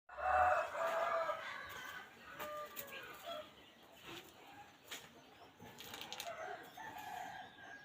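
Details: Wild junglefowl crowing, a harmonic, drawn-out crow in the first second and a half, then fainter rustling and distant calls against steady background hiss.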